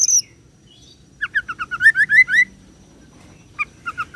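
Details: Oriental magpie-robin in roll song, imitating cililin and serindit: a high buzzy note, then a rising sequence of quick whistled upslurs, followed by a few scattered sharp chips over faint background noise.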